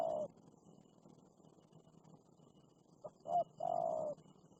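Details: Fierce wild spotted dove confronting a lure dove, with one long coo at the start, then after a pause two short, soft notes leading into a rounded, sustained coo.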